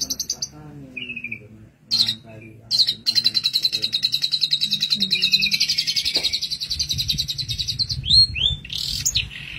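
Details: Long-tailed shrike master song for training songbirds: scattered high notes, then a long sustained rapid trill held for about five seconds, ending in sharp upward slurred whistles.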